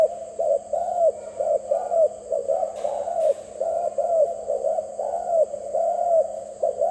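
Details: Soft rapid dove coos in repeated rolling bursts about once a second, with a constant low hum and a high steady tone behind them.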